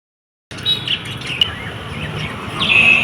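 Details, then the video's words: Lovebirds give high, sharp chirps and squeaky tweets, a few scattered notes ending in a longer shrill whistle, over steady low background hum. "Natural Sounds Of Love Birds"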